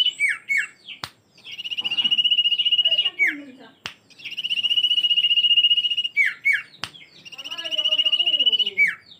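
Common iora giving three long, steady, slightly buzzy whistled notes, each led by quick down-slurred chips, repeating every three seconds; faint low sounds in the background.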